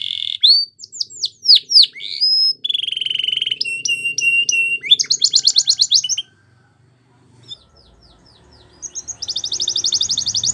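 A Belgian canary sings loud, high phrases: rapid rolling trills and sweeping whistles, then a brief pause before a fast buzzy trill. No other sounds are heard.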